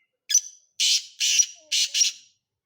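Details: Black francolin, known as Sindhi tetar, offered as a quality bird: a sharp opening note followed by four loud, harsh, rasping bursts in quick succession over about two seconds, with a quiet background.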